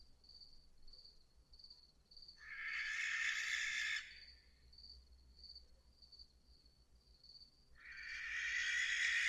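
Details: Barn owl (Tyto alba) giving two harsh, rasping screeches, each over a second long and broad in pitch, the second still going at the end, over a steady pulsing insect trill in the background.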